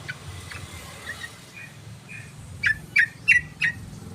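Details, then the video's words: Sooty-headed bulbul lure calling: faint soft notes give way to four loud, evenly spaced chips at the end, about three per second, against a constant hiss. "PANCINGAN SUARA BURUNG TRUCUKAN"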